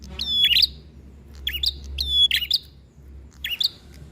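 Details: Prinia in combative song, a free-flying visitor outside the cage: short bursts of sharp, twisting chirps with a clear whistled stroke, repeated roughly once a second.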